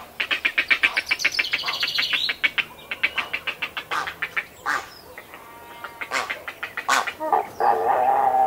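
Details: Grey Heron feeding calls, recorded close up at a nest with well-grown chicks and adults: rapid rasping clicks at first, then scattered harsh squawks, ending in a louder, grating, drawn-out call.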